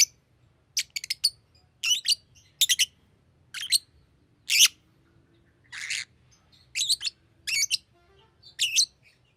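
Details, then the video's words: Green lovebird giving bursts of harsh, high chirps, some in quick doubles and triples, plus one broader rasping squawk midway, over a faint low hum. "Green Lovebird Chirping Sound"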